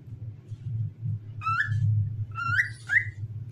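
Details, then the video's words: Cockatiel singing as it dances: three clear rising whistles with ringing overtones, spaced about half a second apart, over a constant low droning hum. "Famous Cockatiel Singing and Dancing"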